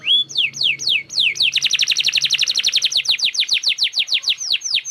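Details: Canary singing energetically in a fast, continuous run of high, downward-sweeping trilled notes, starting with a few slower slurred notes and then speeding into a rapid, evenly pulsing trill; a faint low hum sits beneath.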